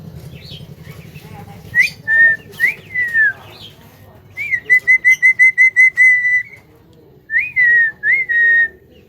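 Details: Javan myna, said to outdo a hill myna in voice, giving loud clear whistled notes, each rising then falling slightly and held, in three bursts of rapid repeated whistles over a low background hum.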